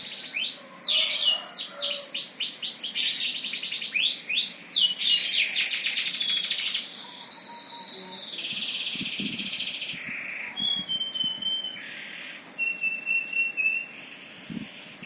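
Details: Long bout of birdsong: a fast cascade of descending sweeps and dense trills, then a quieter section of steady held whistles at different pitches separated by short gaps.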